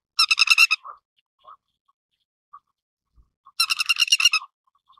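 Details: Two bursts of rapid, harsh pulsed chatter from a grey-headed lapwing, each under a second and about three seconds apart, with short isolated notes between them and a quiet background.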